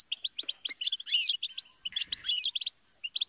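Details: European goldfinch giving short twittering phrases: clipped repeated chirps that break into a busier buzzy trill, then resume as spaced chirps, with faint low thumps.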